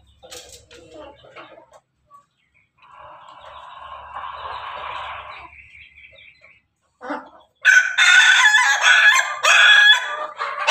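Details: A rooster, a Pelung Bangkok and Ketawa Bangkok crossbreed chicken, crows with a long, drawn-out, wavering call, followed by loud, harsh, broken crowing.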